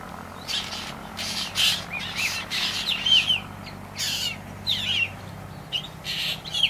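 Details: Young black drongo calling: raspy bursts alternate with quick, sharp, twisting chirps, roughly one every half second to second, over a faint low hum.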